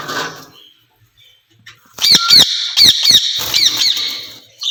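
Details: Ringneck parrot pair in a cage talking together; after faint mutterings and a pause comes a burst of loud, sharp, repeated squawks roughly four per second.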